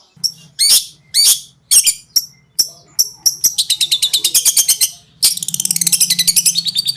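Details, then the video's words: Long-tailed shrike master song for training birds: single harsh squawks spaced out, then accelerating into rapid rattling trills and a fast buzzy run at the end. "RAJANYA CENDET,GURU VOKAL ANDALAN,CENDET KONSLET TIADA TANDING"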